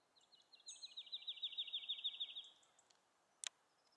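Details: Singing woodlark: a liquid, slightly wavering series of about twenty rapidly repeated notes that swell, then slow and fade over two and a half seconds. A Eurasian skylark flight call is also present, and a sharp brief click follows.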